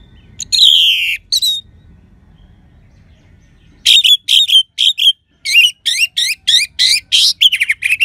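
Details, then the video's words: An orange-headed thrush (Geokichla citrina), kept as a cage bird in Bali, sings clear, high, varied crystal-toned phrases: a rich opening burst, a pause, then a rapid run of ringing notes and trills. The recording is used as a lure to prompt sluggish birds to sing. "Gacornya ANIS MERAH Suara Kristal"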